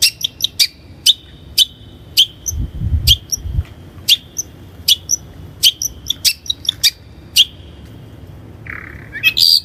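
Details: Lure recording of Long-tailed shrike for training birds: repeated sharp high clicks with brief thin whistled tails at an uneven pace, ending in a low rising squeal and a loud harsh burst; faint low rumble in the background.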